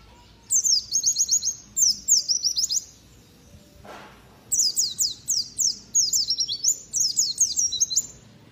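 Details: Contest white-eye sings piercing 'nembak tajam' song, rapid chains of very high, downward-slurred whistles repeated in several bursts of about a second, one pause containing a brief knock, steady low hum behind.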